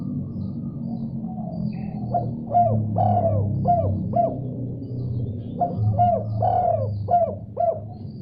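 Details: Spotted dove calling in response to another dove: two cooing phrases, each a few quick notes and one long rolling coo, set against a steady low musical drone.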